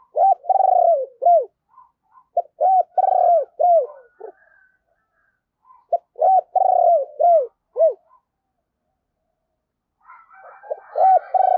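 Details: Spotted dove used as a lure bird to call in wild doves, cooing in repeated phrases of soft mellow hooting notes, each phrase a run of quick coos ending in a drawn-out note, separated by short pauses.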